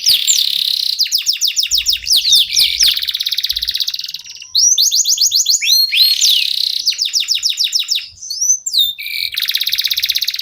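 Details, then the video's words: Local canary (kenari lokal) in vigorous song used as a lure for other birds; long buzzy trills alternating with quick whistled slurs and rattles, broken by brief gaps. "KENARI LOKAL GACOR TOTAL, SEMUA IKUTAN BUNYI..PANCINGAN AMPUH BIKIN CEPAT GACOR"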